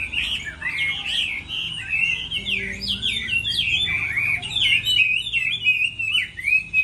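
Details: Chinese hwamei singing in a contest during moult: a sustained flow of loud, varied whistled phrases, slurring up and down, with quick trills and swoops.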